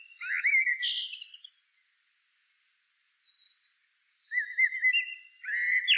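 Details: Blackbird song: a swooping whistled phrase followed by a rapid high twittering flourish, a long pause, then a rising series of clear whistles ending in a loud, full note.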